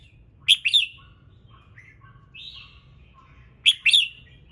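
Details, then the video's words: Morning song of a red-whiskered bulbul meant to prompt other birds to sing: crisp chirpy phrases at start and end, with softer whistled and lower warbling notes between them, over faint hum. "Chào Mào Hót Sáng Nhiều Âm Hay | KÍCH CHIM HÓT THEO LIỀN"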